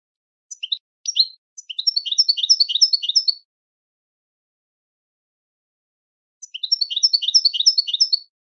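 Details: European goldfinch singing on a training recording: two bursts of fast, liquid twittering. A few loose chirps come first, then a rapid jingling phrase of about two seconds. After roughly three seconds of silence, a second similar phrase follows.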